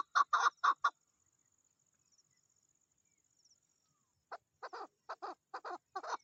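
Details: Female chukar partridge during mating season: four loud husky clucks, a long quiet gap, then a softer, uneven burst of similar notes.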